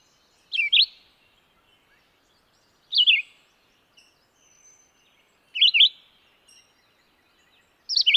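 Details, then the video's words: Red-eyed vireo delivering three or four brief whistled phrases, each sliding up and down, spaced about two and a half seconds apart, with faint bird chips in the background. "sound of birds Vireo olivaceus"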